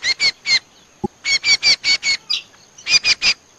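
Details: Trappers' playback lure for Common Iora: loud, clear whistled notes in quick runs of two to five, separated by brief gaps, with one faint low click midway.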